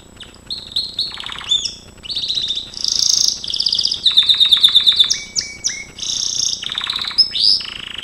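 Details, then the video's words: Canary (Gloster canary per caption) singing a training song: a fast, varied song of bright trills, buzzy rolls and clear whistled notes, phrases shifting every second or so, with no other sounds. "Kenari gloster,GLOSTER CANARY SINGING"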